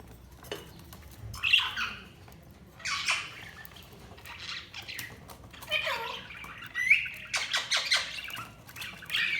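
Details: Budgerigars chirping: bursts of scratchy, warbling squawks and short whistled notes come in clusters every second or two, separated by quiet pauses.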